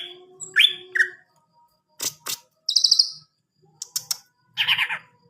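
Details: Greater green leafbird giving a mix of short chirps, clicks and a buzzy trilled burst, broken by brief pauses, ending in a harsh scratchy phrase.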